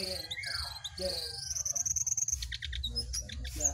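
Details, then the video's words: Jongkangan in a singing contest between a wild bird and a caged bird: high whistled notes and a long, thin, level trill, with lower chirps at the start and a steady low hum underneath. "Adu Gacor Jongkangan Liar VS Jongkangan Sangkar"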